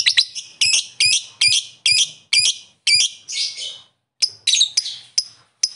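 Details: Lovebird calling to rivals with sharp, high, piercing chirps, some doubled, repeated about twice a second with a short break midway.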